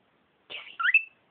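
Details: Pet female cockatiel found in her owner's closet, a bird that tweets and whistles rather than talking; one short harsh buzzy note runs into a quick rising whistled tweet.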